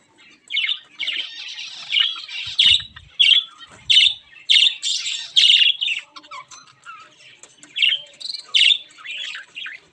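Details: Caged Java sparrows, white and grey birds kept in an aviary, giving a steady run of short high chirps and squeaky notes, bursts coming irregularly more than once a second, several birds possibly calling together.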